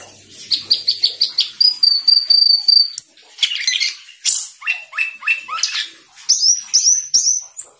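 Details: Asian glossy starling in full energetic song; loud rapid series of sharp chirps and clicks, a sustained high whistled note with buzzy trill, then descending slurred notes and repeated high swooping whistles.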